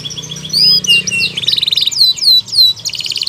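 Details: Canary in vigorous song with pauses, used to provoke non-singing canaries and to tutor youngsters aged two to four months; clear downslurred whistles, buzzy rolled trills and bright sweeping notes alternate in short bursts.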